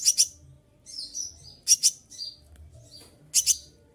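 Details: Olive-backed sunbird in moult, singing tightly: paired loud sharp chips at intervals of about 1.7 seconds, softer high slurred whistles in between, faint low hum.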